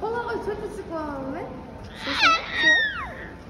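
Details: Pet cockatoo named Coconut talking in short, speech-like phrases with wavering, sliding tones, ending in a couple of higher, raspier syllables.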